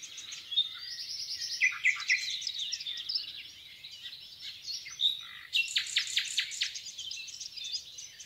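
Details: Nightingale song in the Rawka river valley near Doleck, mixed into a thick dawn-like chorus: scattered twittering phrases, short whistles, then a strong run of repeated sharp notes after five seconds, with other birds singing throughout.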